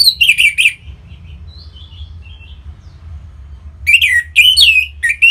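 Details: Orange-headed thrush kept in a cage sings to get other birds singing: loud harsh upslurred notes, a pause with soft thin whistles, then another uneven run of sharp rising chirps.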